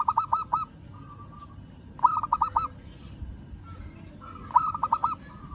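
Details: Zebra dove of a local strain calling out to a rival, giving three bouncy phrases of four or five clipped coo notes about every two seconds, linked by softer sustained coos.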